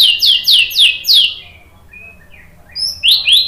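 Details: White-rumped shama (murai batu) song used as a lure to make fighting males answer: loud, high downward-sweeping whistles repeated rapidly, a short pause with faint notes, then more strong sweeping whistles.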